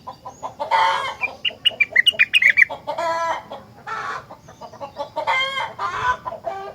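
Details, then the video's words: Rengganis in full, lively song that sets other rengganis singing in reply: a rapid run of sharp chirped notes, then harsher chattering and buzzy phrases in bursts, with low clucking sounds between. "Burung Rengganis Lain Ikut Gacor Jika Dengar Suara Rengganis Super Gacor Ini"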